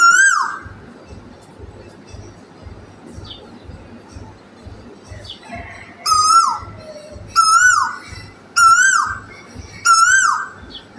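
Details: Asian koel calling from a tree at morning: one clear whistled note, a pause, then a series of five ringing notes about every 1.2 seconds, each slightly rising then dropping, over a steady low throbbing hum.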